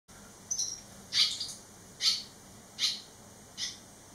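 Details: Three barn swallow fledglings, eleven days after leaving the nest, back at the nest site: short high chirping calls at irregular intervals, about one a second, each a brief buzzy burst, with a faint steady hum behind.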